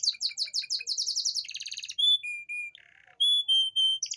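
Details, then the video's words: Canary song played to bring hard-to-mate females into breeding condition: rapid runs of high chirps, then a buzzy trill tour, clear level whistled notes, a short low rattle, and more sustained whistles. "Suara memancing kenari betina susah kawin"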